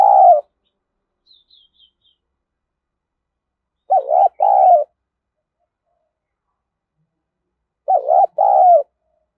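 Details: Spotted dove crowing for decoy training: three loud wavering double coos, each a quick dipping note then a longer hollow one, spaced about four seconds apart, with faint high chirps early on.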